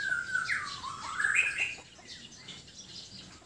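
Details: White-rumped shama from Sabah, Borneo, in relaxed song: an even whistle drops into a rising, rippling warble that fades away, leaving faint background hiss.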